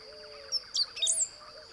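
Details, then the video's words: A great pampa-finch (Embernagra platensis) in forested savanna at the Blue-throated Macaw Reserve in the Beni lowlands of Bolivia gives its song, a brief burst of high, thin, scratchy notes under a second long, over a steady high insect-like hum. "Great Pampa-Finch (Embernagra platensis) Song"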